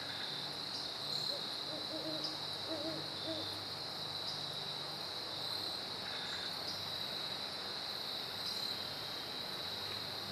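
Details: Great horned owls duetting, recorded September 15, 2012: a short run of soft, low, rounded hoots in quick succession early on, then quiet, all under a steady, shrill chorus of crickets and other insects.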